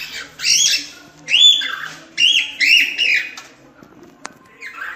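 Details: Natural cockatiel song used to teach chicks: loud, drawn-out whistled notes with a buzzy edge, about four phrases in quick succession, each held briefly, then a pause before a softer final note.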